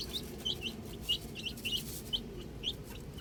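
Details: Outdoor baby chicks giving scattered high peeps, roughly one or two per second, over a soft low background hum.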